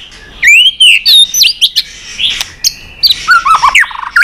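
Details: White-rumped shama in competition singing with a tail-flicking display: loud whistled phrases rising and falling, interspersed with clicks, then a quick chain of descending notes.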